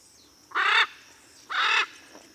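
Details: Blue-and-yellow macaw giving two loud, coarse, drawn-out squawks about one second apart, each rich and buzzy, over a faint high steady tone.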